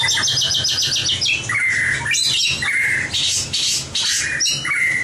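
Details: White-rumped shama song of the competition type, used to train birds: a fast run of repeated high notes, then loud clear level whistles alternating with harsh buzzy bursts, all rich and forceful.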